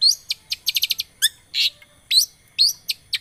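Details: Lure song of a long-tailed shrike, used to get a non-singing bird going: rapid clicks and sharp chirps in a quick run, mixed with a few louder rasping notes and short upward-flicking whistles.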